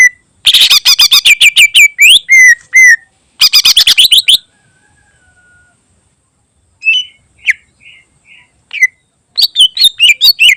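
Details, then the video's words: Greater green leafbird in full varied song for tutoring other birds, with long rapid trills of sharp, falling whistles and slurred notes, a pause, a few soft separate chirps, then a fresh chattering burst. "Burung Cucak Ijo Isian Istimewa Cocok Buat Masteran"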